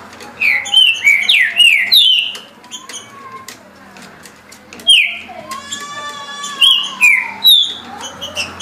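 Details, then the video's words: Singing green-winged saltator at 17 songs a minute: a rapid run of four clear descending whistles, a pause with a softer nasal, harmonic note, then another set of three falling whistles. "Trinca Ferro Senhor dos Anéis Passando 17 Cantos por Minuto"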